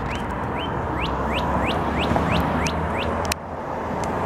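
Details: Northern cardinal song from Savannah, Georgia, recorded 4 April 2022: a rapid run of about ten sharp upswept whistled notes, several per second, over constant traffic rumble, with a brief click near the end.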